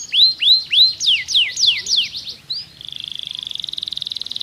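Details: Kenari pocong style canary song, a recording meant to coax silent canaries back into singing: rising whistled notes repeated about twice a second, then fast sweeping falling slurs, ending in a rapid buzzy rolling trill.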